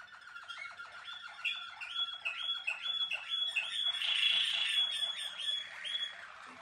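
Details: Malinois Waterslager canary, a bred singing canary, singing indoors: rapid bubbling rolled notes repeated about twice a second, rising into a louder, brighter warbling passage before easing off.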